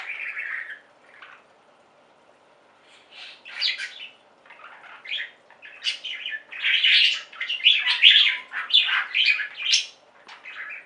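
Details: Budgerigar flock singing indoors: scattered chirps and warbling chatter, sparse at first, then dense overlapping buzzy and squeaky notes from about three seconds on, with short pauses between bursts.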